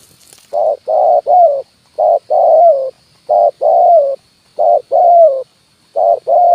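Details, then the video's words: Spotted dove giving a decoy lure call in the 'kuk 1' style, used in bird trapping to attract wild birds to branch and ground: four paired coos, a short note followed by a longer, falling coo, repeated about every 1.5 seconds. A faint steady high tone sounds behind. "SUARA PANCINGAN BURUNG TEKUKUR,KUK 1 DI RANTING &TANAH"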